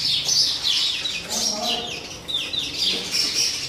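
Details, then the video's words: Sparrows quarrelling over a new nest box make rapid, excited chirping, roughly three or four notes a second, irregular and overlapping, with high downward squeaks and a few lower, fainter notes beneath. "sparrow birds fighting each other for new Box nest"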